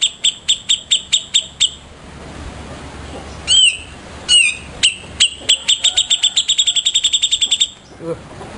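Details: Captive Grey-cheeked Bulbul (Cucak Jenggot), a favourite master song bird: a run of sharp, high repeated notes, a few slurred rising whistles, then a fast accelerating chatter of clipped notes over faint background hiss.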